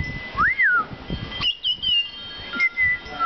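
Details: Butcherbird in a back yard, singing for its supper: a clear, fluting whistled song with a rising-then-falling slurred note, then sustained whistles at steady pitch separated by short gaps, over faint low background noise.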